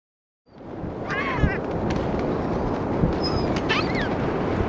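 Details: Gulls calling while being fed on St. Augustine Beach, Florida, in 2016; a few harsh, wavering cries with stacked harmonics over steady surf and wind noise.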